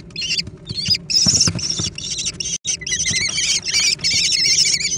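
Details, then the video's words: American kestrel young scrambling for food. Loud, buzzy, wavering high calls come almost without pause, mixed with soft low thumps and shuffling sounds and one brief silence. "小隼的搶食大戰 (American Kestrel)"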